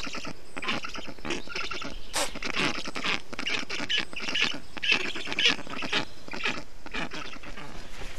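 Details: Black stork storklets calling from their nest in Estonia, 20 June 2021, while a parent works to cool them in the heat with water and wet moss; choppy, raspy calls repeated about twice a second, some louder squeaky peaks.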